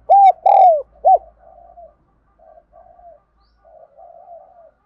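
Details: Spotted dove coo used to train and stimulate wild-caught birds: a short opening note, a long falling coo and a clipped end note, then several seconds of quiet, low burbling murmurs.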